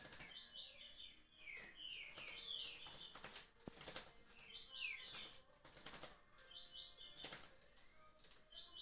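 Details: Liso curricutil song of a green-winged saltator, 26 July 2023: a run of clear whistled notes sliding downward, then repeated warbled phrases roughly every two and a half seconds, each capped by a sharp high tick, with faint clatter between.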